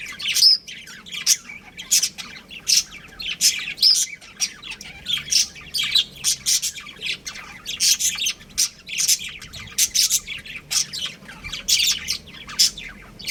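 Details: Pet budgerigars, a breeding pair, chattering almost without pause: rapid strings of harsh, high chirps and squawky notes, roughly two to three bursts a second, with occasional clear whistled pips over a low background hum.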